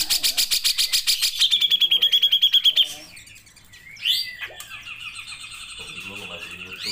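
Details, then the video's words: Cucak jenggot, the grey-cheeked bulbul, in energetic tutoring song: a rapid, even rattle of high pulses lasting about three seconds, then a pause and a loud descending-rising whistle drawn into a long thin tone. "CUCAK JENGGOT GACOR"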